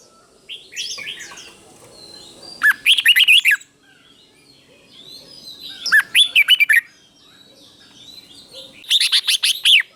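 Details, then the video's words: A red-whiskered bulbul sings its doubled teacher phrases for training caged bulbuls: three loud bursts of rapid, looping whistles roughly every three seconds, separated by soft, distant twittering. "เสียงนกกรงหัวจุก | สุดยอดนกครู เบิ้ลชัดๆ เบิ้ลเป็นคู่ๆ เสียงกระตุ้นนกรงหัวจุกเสียงนกครู chao mao"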